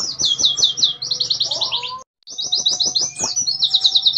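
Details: Caged Oriental white-eye in 'nembak' song, fast with short gaps: dense chains of high chirping notes delivered at speed, one short pause near the middle, low steady hum behind.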